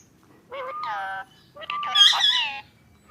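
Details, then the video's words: A ringneck parakeet kept as a talking pet talks face to face in two quick bursts of high, nasal, speech-like syllables, the second rising into a sharper squawky phrase. "Face to Face Talking Parrot 🦜| Beautiful Ringneck Parrot"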